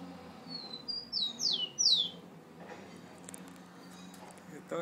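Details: Rufous-collared sparrow, a bird kept at home from Rio de Janeiro, Brazil, described as very aggressive toward the camera, gives a brief song of two thin whistles then three loud downslurred notes, followed by clicks and handling noise.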